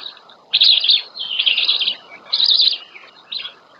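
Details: Black stork (Ciconia nigra) nestlings at the nest, RDLP Łódź, Poland, 27 May 2020, as the female brings their first breakfast: high, squeaky chirping bursts, about four in four seconds, over a soft steady hiss.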